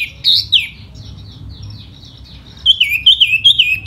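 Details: Tiểu mi, the silver-eared laughingthrush, singing hót xoè in spring: two loud whistles open, a soft quiet passage follows, then a rhythmic string of rising-and-falling whistled notes.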